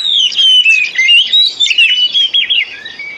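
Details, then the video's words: Loud, fast Oriental magpie-robin lure song for stimulating silent birds: a continuous stream of clear whistles rising and falling, with rapid chattered notes packed between. "Pancingan Kacer Full 1 Jam Untuk Terapi Kacer Macet Bunyi,Kacer Lemot,Kacer Bahan"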